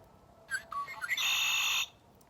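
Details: A Red-winged Blackbird (Agelaius phoeniceus), a marsh bird, sings its conk-la-ree: a few short, clear introductory notes, then a loud, harsh, buzzy trill held for just over half a second.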